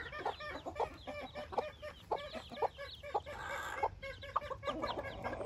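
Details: Newborn Silkie chicks outdoors for the first time, part of a group of 24 chicks with 4 hens, give short, repeated, soft clucking peeps, roughly two each second and unevenly spaced, over a low hiss of background noise.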